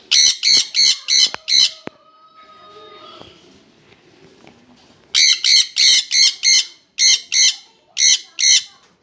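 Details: A pair of jenday conures: five rapid shrill screeches, a quiet pause of about three seconds with a soft background hum, then a fast run of around ten harsh screeches.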